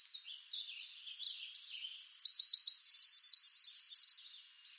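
A Tennessee warbler sings a high, dry chatter: quick stuttering notes that speed up into a loud, rapid, even trill, all very high-pitched.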